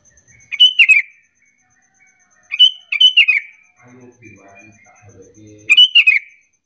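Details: Calling Sooty-headed bulbul, used as a lure so other bulbuls answer back and forth: three bright, bubbly phrases of quick descending notes spaced a few seconds apart, a soft low rumble between them, faint steady high ticking behind.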